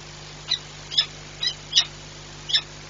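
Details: Peregrine falcon at Orlen Płock, Poland, recorded 22 December 2022, giving short, harsh, high-pitched notes, five in three seconds at uneven intervals, over a faint steady low hum.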